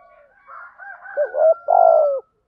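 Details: Spotted dove cooing in the 'giọng thổ' thúc gù lure style: a rooster's crow opens and runs underneath, then one low phrase of a doubled coo and a long falling coo.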